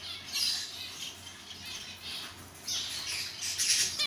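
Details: Captive Isabel-mutation zebra finches, an adult pair over seven months old ready for breeding, uttering harsh, squawky, high calls in uneven bursts with a faint low hum behind.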